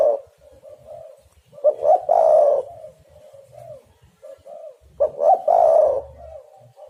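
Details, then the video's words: Spotted dove cooing as a lure for catching birds: two full phrases a few seconds apart, each with short rising notes then a long, husky coo, with gentle low cooing filling the gaps. "derkuku super gacor pikat dapat burung bagus"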